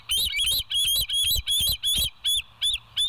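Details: Bald eagle at the West End nest, live cam, 25 September 2023, 7:00 in the morning. A fast, loud series of about ten high, squealing, piping notes with a wavering, giggling quality.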